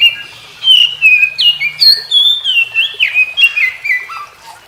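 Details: Morning song of an Oriental magpie-robin joining in after hearing others: bright whistled phrases delivered in quick succession, jumping between high and middle pitches, with sharp upward flicks and a low slurred note near the end.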